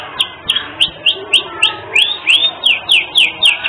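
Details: Lively canary song with unique phrasing, intended to tutor other birds: clear downslurred whistled notes repeated steadily, roughly four per second, each bright and crisp.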